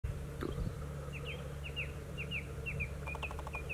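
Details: Song thrush singing a string of short, sharp whistled notes repeated in quick succession, followed by a rapid stuttering burst, over a steady low rumble.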